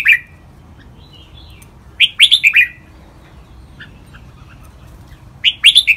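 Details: Red-whiskered bulbul training song in the riek, double and lak wai styles. Short bursts of clear, fluty chirped notes come in three brief phrases separated by quiet pauses.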